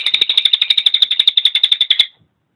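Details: Cililin song as a training master for songbirds: a dry, metallic trill of clipped, evenly spaced notes, roughly nine per second, lasting two seconds before stopping cleanly into silence.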